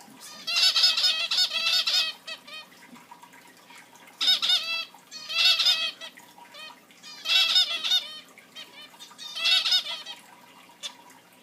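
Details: Several captive zebra finches chirping in a room, producing dense runs of loud nasal, buzzy beeps in bursts lasting one to two seconds, repeated about every two seconds.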